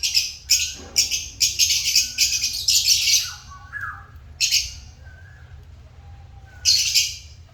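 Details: Pet African lovebirds chattering in quick shrill high chirps for the first few seconds, then quieter with one or two softer notes before another piercing burst.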